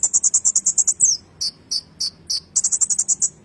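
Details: Kolibri ninja ngerol song, meant for tutoring magpie-robins: a very fast high trill of rapid even pulses, four separate piercing chips roughly every third of a second, then the rapid trill again.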